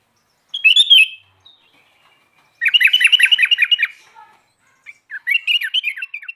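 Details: Sooty-headed bulbul singing vigorously: a brief warbled phrase, then a fast run of chattering, rolling notes lasting over a second, and after a pause another quicker, bubbling chatter series, all on a silent background.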